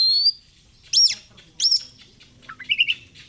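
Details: Oriental magpie-robin giving a short whistle followed by two sharp arching chirps and a quick warbled phrase, low hum underneath.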